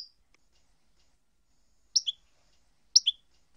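A European goldfinch gives two bright, clipped two-part notes, a high tinkle dropping to a lower one, about a second apart against near silence.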